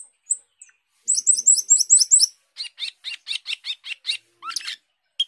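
Asian glossy starling giving a fast burst of high chattering notes, then a run of about ten sharp, evenly spaced chips and a few scattered squeaks.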